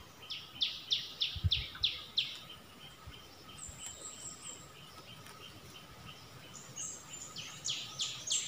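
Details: A streak-eared bulbul used as a decoy, recorded 16 February 2021, gives a series of sharp down-slurred notes about every third of a second, then quieter ones, over steady background hiss and a thin high whistle.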